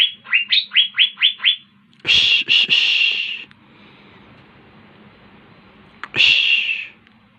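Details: Gacor singing of an Asian fairy-bluebird: five fast rising whistled notes in a row, followed by two bursts of harsh, rasping noise with a quiet stretch between them.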